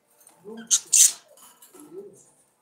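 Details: Budgerigar song fragment: a nasal harmonic warble note, two loud harsh raspy bursts, then another rising nasal note.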